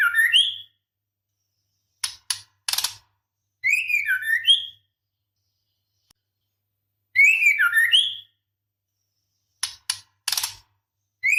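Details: Female white-rumped shama in breeding condition calling a male: bubbling bursts of twisting whistled notes, each about a second long, alternate with clusters of three dry clicks.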